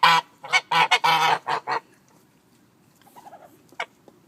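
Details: Pomeranian geese honking at chickens: a burst of loud, nasal, harmonic honks packed together over the first two seconds, then a pause and a few softer, quieter calls near the end.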